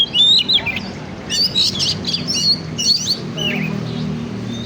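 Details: Oriental magpie-robin song played as a lure to stimulate other birds: bright, varied whistled phrases with quick rising and falling notes and short buzzy bursts, separated by brief pauses, over a steady low hum.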